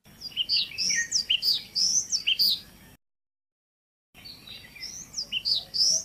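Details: Male Indian (black-lored) yellow tit calling during the nesting season: quick series of high, sharp, varied chirps and slurred whistles in rapid succession, briefly cut by silence, then resuming with similar bright notes.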